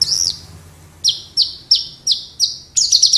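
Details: Horsfield's bush lark, Wates type, caged in Java and in full song: a high warbled opening, then five sharp downward-sliding notes at even intervals, ending in a rapid cluster of bright chirps.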